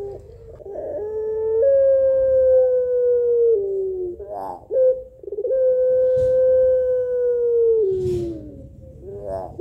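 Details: Pelung Barbary dove calling males: two long, clear, slowly falling hums in a weary, melodious style, each followed by a short bubbling trill.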